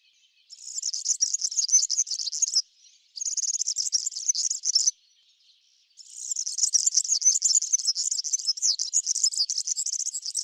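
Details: A European serin feeding on Brassica oleracea seeds in a backyard sings a fast, high, jingling stream of buzzy twitters, delivered in long bursts separated by short pauses.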